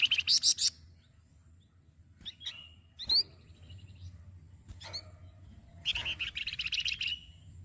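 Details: Songbird known as flamboyan, a masteran model for other singing birds: loud high buzzy bursts, clipped rising chirps and a sustained fast rattling trill lasting over a second, with quiet gaps between.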